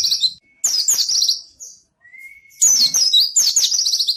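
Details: Lively white-eye (pleci) song for luring and tutoring quiet birds. Rapid high trilled chatter, a brief rising whistle in a pause, then a long run of fast, repeated shrill twitters.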